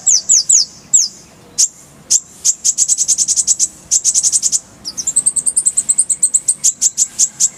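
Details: Oriental white-eye, called konin, singing on a masteran recording: a few high down-slurred whistles, then fast runs of sharp, very high chips and a rising, rapid twittered trill.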